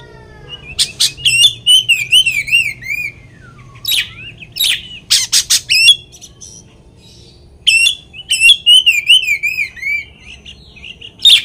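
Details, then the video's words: Oriental magpie-robin singing a lure to make another magpie-robin emotional: warbled wavering whistles alternating with loud rasping bursts, a low falling whistle, and sharp chip series, repeated over several phrases. "kacer materian bikin Kacer lain emosi pancingan burung kaker"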